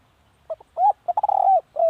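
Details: Spotted dove used as a decoy bird, giving one low cooing phrase: a short soft note, then a rising coo, a quick stuttering roll into a long drawn coo, and a final falling coo.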